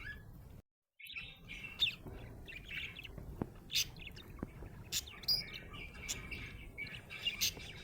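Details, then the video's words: Budgie described as happy, chirping: after a short gap, scattered sharp squeaks and clicks mixed with soft warbled chatter, a few louder notes standing out. "Happy budgie chirping sound"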